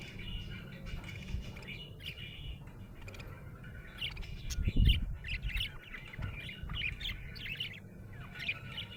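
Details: Happy budgerigar chirping: a busy stream of quick, scratchy warbled chirps and short squawks, uneven in rhythm, over steady low rumbling background noise with one louder thump midway.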